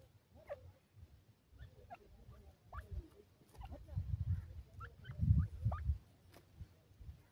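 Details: Young pheasant chicks at play in a rearing setup give short upward-sweeping peeps, several in quick succession, while low thumping and shuffling sounds swell in the middle of the recording.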